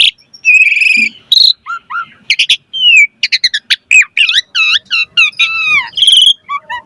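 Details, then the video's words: Asian pied starling in lively full song, a recording used to prompt other birds to answer. Rapid mixed phrases: bright rising and falling whistles, buzzy stacked notes, clicks and short chatters with brief gaps, all high-pitched and clean. "Pancingan Jalak Suren Gacor Auto NYAUT Cepat MOMPA"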